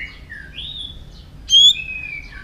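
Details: Multi-voiced song of a white-rumped shama, used to excite and train other shamas: soft gliding whistles rising and falling, then one loud, high, pure whistle that slides down into a long, even tone.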